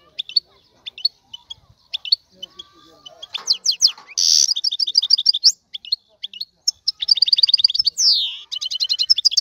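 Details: Male European goldfinch singing excitedly to prompt a female to mate; sparse chirps build into loud buzzy rattles, rapid twittered trills and a long descending wheezing note.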